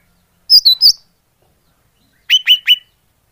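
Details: Cucak hijau pikat call, a greater green leafbird lure: three high, wavering whistled chirps, a pause, then three lower, downslurred notes in quick succession.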